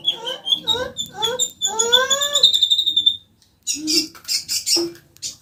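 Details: Common iora singing, meant as a lure so a caged bird joins in: a series of clear rising whistled slurs about twice a second, then a thin sustained high trill, followed by scratchy noises.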